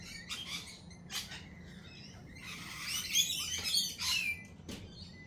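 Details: Lorikeets at a cafe: short scratchy chirps early on, then a dense run of harsh, buzzy screeches in the middle, ending with a few sharp clicks.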